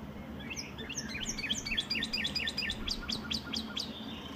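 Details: Canary singing: a fast series of short, high chirped notes sweeping downward, repeated in quick runs over a steady low background hum.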